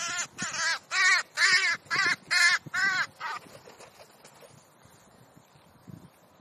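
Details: Crows romping on a sunny park meadow in Leipzig's Rosental near the zoo, Germany: seven harsh, hoarse caws in quick regular succession, about one every half second, then fading to quiet rustling and faint background noise.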